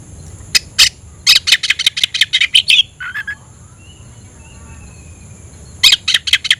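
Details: Oriental magpie-robin calling a rival to fight, heard as rapid series of harsh, scratchy notes in quick runs, with a soft lower whistle and long quiet gaps, against a faint steady high tone.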